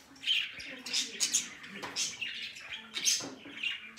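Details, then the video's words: Pet budgerigars chatter: dense, high warbling chirps and scratchy squawks tumbling together in quick, uneven bursts, with no other sounds. "budgie sounds,parakeet sounds"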